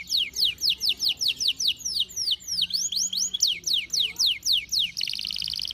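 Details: Canary in breeding condition singing a fast run of sharp downslurred whistled notes, about four per second, ending in a rapid buzzy trill, with faint background hum.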